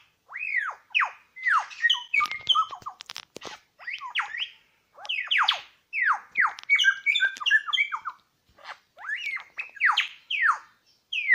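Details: Wild Superb Lyrebird song, with two males encountered at Lookout Point in New England National Park: loud, varied bursts of rapid arched whistled notes sweeping up and down. Dry clicking rattles come in briefly, and the phrases are separated by short pauses.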